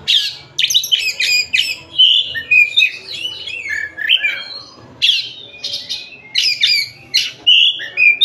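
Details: Oriental magpie-robin from Tasik singing continuously: dense scratchy bursts mixed with fluty whistled slurs, phrases repeated roughly every second with one longer pause midway.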